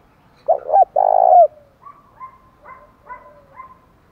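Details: Spotted dove song used to goad wild doves into answering and fighting: two loud, deep, drawn-out coos, the second longer, followed by a run of faint, higher, short notes.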